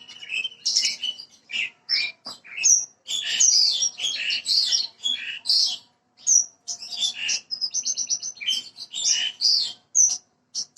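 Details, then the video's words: Branjangan parva bushlark recorded to prompt a bird to sing quickly: a long, nearly continuous stream of varied high chirps, trills and whistles, rich and rapidly changing throughout. "PANCINGAN BURUNG BRANJANGAN PARVA BAHAN AGAR CEPAT BUNYI"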